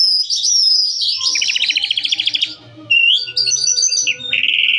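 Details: Calandra lark singing a varied, high phrase: a long whistled note slides into a fast buzzy trill of about a dozen pulses, then clipped whistles and a rising, scratchy final burst, with faint low rumble beneath.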